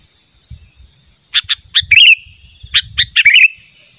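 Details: Natural sooty-headed bulbul call, used for luring a rival: two groups of sharp chirps, each closing with a bright, rippling warble, over faint low background noise.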